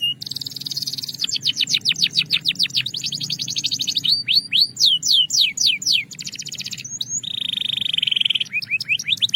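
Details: Belgian canary producing varied song: a brief held tone, a long run of fast descending whistled sweeps, short curving slurs, a steady whistle, and closing quick notes, loud and clear.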